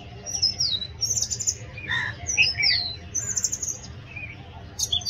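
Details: Loud song of an Oriental magpie-robin, a rapid string of sweet whistles and sliding notes that dip and rise, mixed with a few lower squawky phrases, over a constant low hum.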